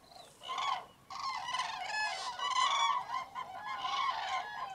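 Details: Hundreds of common cranes at a large, massive roost in Tablas de Daimiel National Park, Spain, on a freezing, foggy mid-January dawn. Overlapping loud trumpeting calls rise after a brief pause near one second, with a few greylag geese and teal present.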